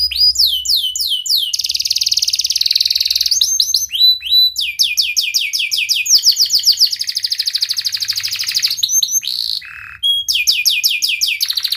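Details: Canary in a long, powerful 'cuit cuit' song to prompt lazy canaries: alternating series of falling whistled sweeps and rapid buzzy trills, a brief low buzz, then more sweeping notes.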